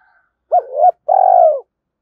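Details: Spotted dove coo meant to draw in and stir up other doves: one low wavering note, a brief gap, then a sustained rough-textured coo that slowly drops in pitch. Nothing else is audible.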